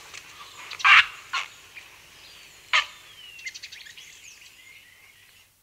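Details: Aggressive grey heron calls recorded close up in Kent: abrupt harsh croaks spaced over three seconds, followed by soft distant chirping and twittering, likely the house sparrows and starling in the background.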